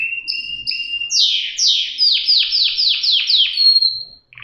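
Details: Canary singing paired whistled notes, then a rhythmic tour of repeated downward sweeps ending in a long high tone.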